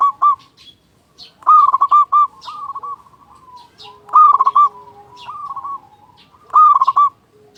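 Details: Local zebra dove singing loudly, played as a lure to get other doves calling. Loud bursts of quick bubbling coos come roughly every two and a half seconds, each trailed by softer echoing notes.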